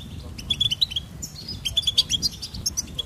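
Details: Goldfinch delivering a quick, sparkling twitter of high chirps and short trilled notes in a lively, uneven rhythm, with a faint low rumble beneath.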